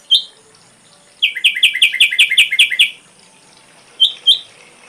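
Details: An ashy drongo sings for a songbird tutor recording, with a single sharp note, then a brisk run of about nine paired downslurred chirps lasting under two seconds, and finally two isolated notes.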